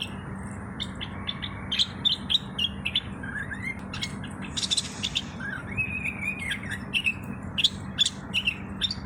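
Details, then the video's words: A Moroccan common bulbul sings short chirped notes mixed with mellow rising and falling slurred whistles over a constant low hum, with one brief burst of hiss midway. "تغريد طائر البلبل المغربي صوت صفير البلابل"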